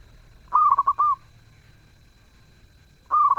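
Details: Zebra dove singing in a lively, sweet voice. A phrase of quick rolling coos ends in a held note, then after a pause a second phrase begins with the same stuttered cooing.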